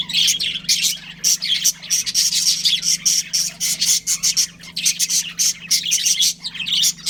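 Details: Budgerigars, a breeding pair kept as pets, chirping continuously: dense high squawky chatter and short tweets overlapping in rapid bursts, with a steady low mechanical hum underneath.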